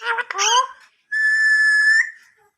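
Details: Talking parrot reciting the kalma in Urdu/Hindi: a short burst of speech-like chattering syllables, a brief pause, then one long steady whistled tone held for about a second, in a small quiet room.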